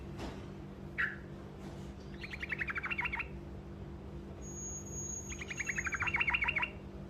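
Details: Truco bird with a short roll to get other birds to answer: a sharp chirp, then two quick rattling trills of rapid descending notes, the second louder and longer, against a steady electrical-like hum.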